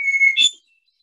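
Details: Hermit thrush (Catharus guttatus) song, which always starts with a clear whistled note: a single steady whistle, then a brief, higher, shimmering flourish; thrushes typically sing at dusk in woodland.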